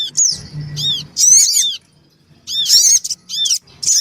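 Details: Black-winged cuckooshrike, female and male together with a young bird, used as a lure recording to draw small birds. Bursts of high, arched, chirping notes come in groups roughly every second, with short gaps and a faint low hum beneath.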